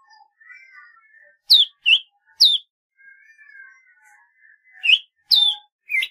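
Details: Golden-fronted leafbird uttering clusters of sharp, loud downslurred chirps, interspersed with quiet, wavering drawn-out whistles in the background.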